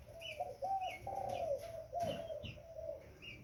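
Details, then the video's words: Spotted dove, young, giving a quick chain of low wavering coos, with short bright chirps from other birds in between and a low steady hum behind. "Burung tekukur Muda"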